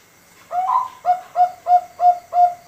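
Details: Bangkok-type zebra dove, a five-month-old competition-quality bird used to prompt other doves to sing, opening with a longer rising coo then a run of five evenly spaced mellow coos about every third of a second.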